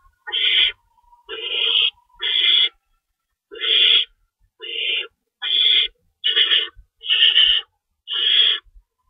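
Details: Owls at the nest at feeding time, 3:53 AM, March 25, 2012, two rabbits cached: nine harsh, noisy hisses in a steady, slightly irregular series, each lasting about half a second.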